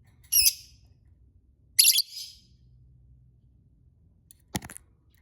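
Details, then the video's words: Lovebird calling with loud, rasping screeches, two long ones over a second apart, then a brief clicking burst, against a faint low hum. "Suara Burung lovebird"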